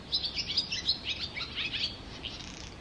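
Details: Barn swallow at the Tama River giving a rapid, high twittering chatter of quick chirps and slurred notes for about two seconds, fading at the end, with soft low background noise.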